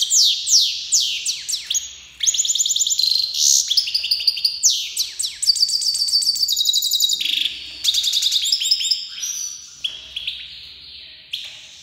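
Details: Iranian goldfinch, a Himalayan black-headed cross from Fars province, Iran, in full song: an unbroken, fast tumble of high tinkling chirps, buzzy rattles and downslurred notes, varied and jumbled, with barely any gaps.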